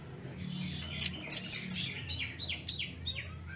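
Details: Velvet-fronted nuthatch call used to lure birds: four sharp, very high chipping notes in quick succession, then a run of softer, rapid, downslurred notes; faint low hum beneath.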